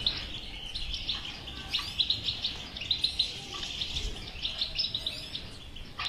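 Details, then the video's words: European goldfinch song of the batbata type, aimed at getting a silent goldfinch to sing: repeated sparkling chirps and short twittered phrases over a constant hissing background. "اذا لديك مشكله في حسونك انو لا يغرد لا تخاف هذه البتبته الحل وعلاج الحسون الصامت بتبته اجرام"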